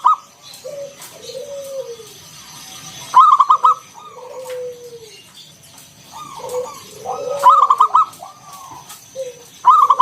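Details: Wild local zebra dove cooing as a lure for other doves, ngalun style with round kung tones; three rolling phrases of clipped coos spaced several seconds apart, soft downslurred notes in the gaps.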